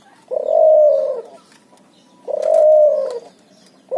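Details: Low, throaty coos repeated about every two seconds from a hybrid puter × tekukur dove (cuhu) calling busily in ngoar-nguku style, with a third note just beginning at the end.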